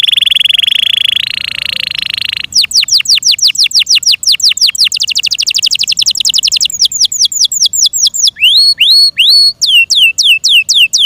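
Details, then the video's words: A pet Yorkshire canary sings a bright song opening with a buzzing roll, then long runs of quick falling whistled notes, ending in paired rising-falling slurred phrases. "THE BEAUTIFUL SOUND OF FI YORKSHIRE CANARIES"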